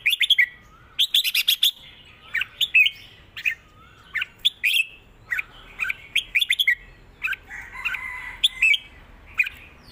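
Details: Red-whiskered bulbul kept as a cage bird, singing a repeating southern Thai song for teaching birds: lively mix of chirps, trills and slurred whistles in close sequence, loud and clear.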